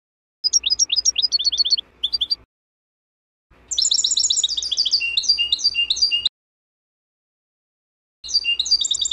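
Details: A wild European goldfinch sings bright, tinkling bursts of rapid, high, jumbled twittering in phrases of a few seconds separated by short silences; the song, recorded in 2024, is meant for teaching young birds of the season.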